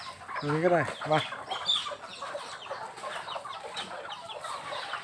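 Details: Household chickens, tagged as bantams, in Thailand give two quick, arched clucking calls early on, then faint scattered chatter and background noise as people speak nearby.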